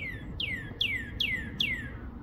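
Northern cardinal singing a series of clear, down-slurred whistles, about two per second, each sliding from high to lower pitch; faint low background rumble.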